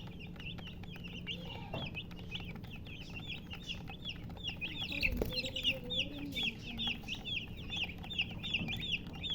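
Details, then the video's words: Chicks chirping in a steady, crowded stream of short shrill peeps, about two or three a second, growing louder toward the end, with low clucks and hum in the background. "Baby "Chicks Chirping" Sound"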